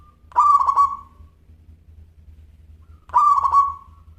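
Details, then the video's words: Local zebra dove with a crystal-clear voice, used as training audio. Two loud stuttered coo phrases about three seconds apart, each a bright note rattling into rapid beats before fading, over a faint steady low hum. "Perkutut Lokal Gacor Suara Kristal"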